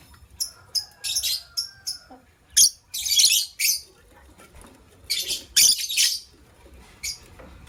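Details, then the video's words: White lovebird pair, a matched couple, chirping in the morning: harsh, buzzy high chirps in short bursts, about a dozen in quick clusters with brief pauses, some drawn into longer rasping notes. "White LoveBird Chirping Sounds"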